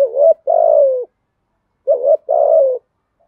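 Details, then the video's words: Spotted dove giving a coaxing earthy-voiced coo to stir up other doves: two deep phrases, each a quick wavering note followed by a drawn-out falling hoot, with a pause of about a second between them. "chim cu gáy giọng thổ bài bản thúc gù, chim cu gáy đất bài bản gù thúc, chim cu gáy kích bổi"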